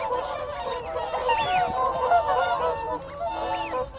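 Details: Whooper swans in a group trade contact calls at close range: continuous harsh, bugling honks overlapping one another, while arched whistled notes of wigeon and Canada geese sound farther back.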